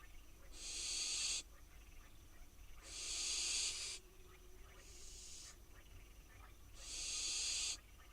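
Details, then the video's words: In Israel, wild barn owl fledglings wait for food on their nest box, giving four breathy, harsh screeches of roughly a second each, spaced about two seconds apart, one noticeably quieter than the rest. "Barn owl fledglings wait for dinner on their nest box"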